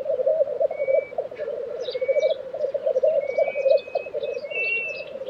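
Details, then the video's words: Lekking black grouse in Tiveden, Sweden, April 2023: a steady low bubbling chorus, with scattered thin whistles and chirps from other birds above it. "Black Grouse Lek - sound recording"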